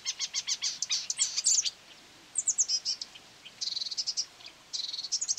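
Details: Marsh warbler responding aggressively to its own recorded voice from a phone, near a quarry on 9 May 2020. Rapid buzzy trills alternate with thin high whistles and flat, rattling chatter series.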